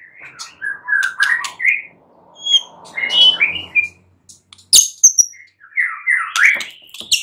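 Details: White-rumped shama singing at night to draw answers: sweet slurred whistles in short runs, a soft low rumble in between, then high sharp notes and further descending whistled phrases.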